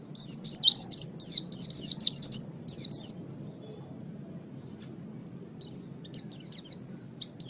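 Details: Oriental white-eye master song for training birds: a loud burst of rapid, high, slurred chirps for about three seconds, then near silence with a few scattered soft notes.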